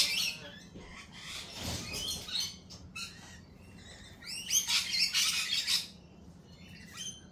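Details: At a cafe, lorikeets keep up rapid, high, scratchy chatter in uneven bursts, with overlapping shrill squeals and a low hum beneath.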